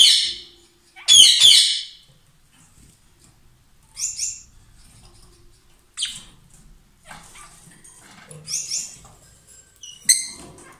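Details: Two lovebirds kiss or trade food with a loud, shrieking burst. Sparse sharp chirps follow every couple of seconds, with quiet gaps between them.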